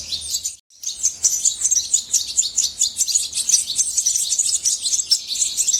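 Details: Goldfinch song after a brief silent break: a dense, high-pitched babble of quick twittering notes and sweet trills continuing without pause.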